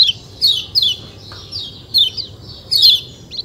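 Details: High, sweet chirping of a white-eye in short descending twittered phrases every half second or so, separated by brief gaps, with a faint low hum behind.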